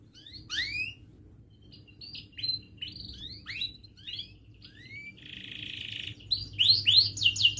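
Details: Canary singing as a lure for young canaries learning to sing: scattered upward-sweeping whistled notes and short chirps separated by pauses, a brief buzzy burst near the end, then louder chirped phrases over a low steady hum.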